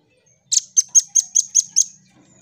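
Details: Velvet-fronted nuthatch, known as red-billed rambatan, in lively voice, gives a clean burst of seven high, piercing notes spaced evenly about a quarter second apart, with nothing else audible.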